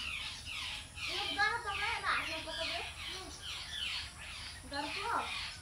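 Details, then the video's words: Young spiny babbler (Turdoides nipalensis), a bird found only in Nepal's middle hills, giving harsh, squawky calls with wavering, nasal tones, about twice a second and sometimes overlapping, over a steady background hiss. "Spiny babbler baby bird"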